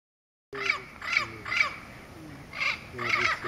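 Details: Turquoise-fronted amazon (Amazona aestiva) at Pouso Alegre in Brazil's Pantanal, 23 September 2013: harsh, grating squawks with rich overtones, five calls in three seconds, each about two-tenths of a second long, in a quiet background.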